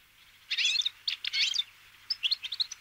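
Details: Wintering Bramblings, Fringilla montifringilla, flocking to sunflower seeds; two loud, buzzy, rasping bursts, then a string of thin rising chirps.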